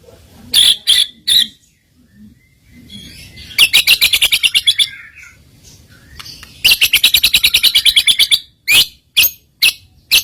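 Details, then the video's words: White-rumped shama song used as a lure to provoke rival birds into singing: bursts of rapid, high chirping trills and buzzy notes, several fast repeated runs separated by short pauses, with a faint low rumble beneath. "PANCINGAN ISIAN SUARA BURUNG MURAI BATU"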